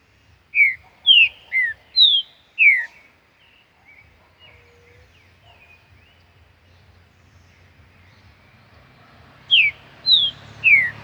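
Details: Wild green-winged saltator singing in nature: a phrase of five clear, slurred whistled notes, mostly falling, then a pause with faint low background noise, and three more loud descending whistles at the end.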